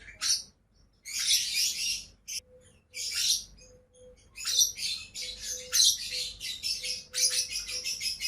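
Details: Two pet lovebirds giving bursts of harsh, high-pitched chattering chirps in quick irregular runs, with brief pauses between outbursts; a faint steady pulsing tone repeats in the background.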